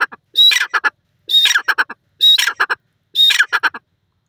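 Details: Francolin male and female calling together in lush natural greenery: four evenly spaced phrases about a second apart, each opening with a brief whistled note that breaks into a grating burst and quick staccato notes.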